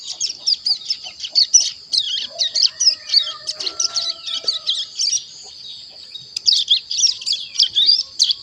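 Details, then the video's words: Juvenile ciblek gunung about one month old, kept and tutored with kapas tembak and canary songs, practising its song: dense, fast high twittering of scratchy chirps and trills, with a short pause before the chatter resumes. "Cigun Paud Belajar Bunyi Umur 1 Bulan Lebih Aktif Ngeriwik"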